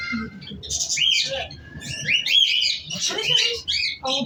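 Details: Cockatiel, a pet bird, gives a run of harsh squawks and quick chirps that tumble together almost without pause, with faint low background rumble.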